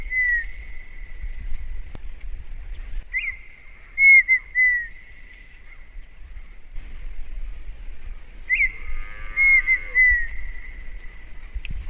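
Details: Red-winged tinamou of the northeastern Brazilian sertão: long, steady, pure whistles held at one pitch, each opening with a brief upward flick and a few warbled inflections, separated by short gaps, over faint low background noise.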